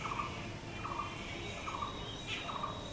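Blue-throated barbet giving a steady series of low, rolling, throaty notes, about one every 0.8 seconds, over a hiss of background noise and a faint higher chirp.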